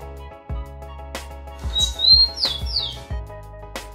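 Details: Pet Rufous-collared Sparrow (tico-tico) singing, recorded by its owner: one short song phrase, a thin high whistled note followed by two quick descending slurred notes, heard over background music with a steady thumping beat.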